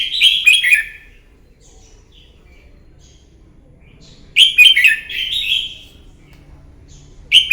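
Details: Morning fighting song of a red-whiskered bulbul used for training: two strong bursts of rich, rolling whistled notes falling in pitch, with a long quiet pause between them and a third phrase starting at the end.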